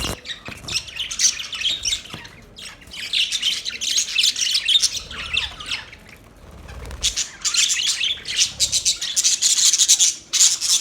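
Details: Budgerigars chattering in scratchy squawks and chirps, a lull near six seconds, then a louder, denser burst with thin whistled notes at the close.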